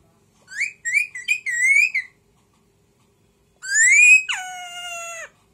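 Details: Pet parrot whistling very loudly: a run of short rising and wavering whistled notes, a pause, then a loud rising whistle that breaks into a long, level, sustained tone, with no other sounds around it.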